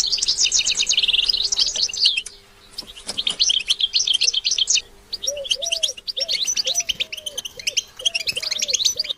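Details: European goldfinch song meant to stimulate other goldfinches: bright rapid twittering phrases with short gaps, plus a series of soft low cooing notes, like a dove, in the second half.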